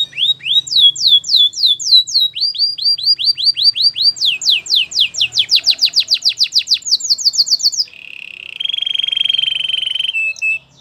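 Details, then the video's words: Canary training song: rapid repeated upswept whistled notes in tours, shifting through several syllable types, then a steady buzzy trill and a short high note at the end. "Your canary will not stop singing with this training song"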